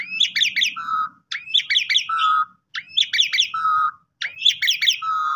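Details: Asian pied starling pumping-style lure song: four similar phrases, each a rising slur into harsh chattering notes ending in a low steady whistle, repeated about every second and a half.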